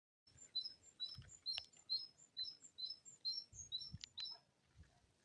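Great tit singing high, thin two-note phrases repeated quickly in a see-sawing rhythm, with a few low thumps in the background.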